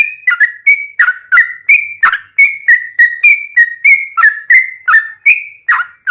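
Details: Yellow-vented bulbul song used as a master and lure for kept bulbuls, in the non-stop ropelan style filled with ngelituk and straw-headed-bulbul-like phrasing: clear whistled notes, some rising and some falling, delivered in a quick steady run.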